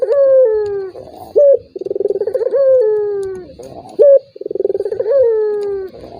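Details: Repeated turtle dove call meant to spur a reluctant rival: a falling coo, a short bright accent note, then a fast fluttering trill into another long downward coo.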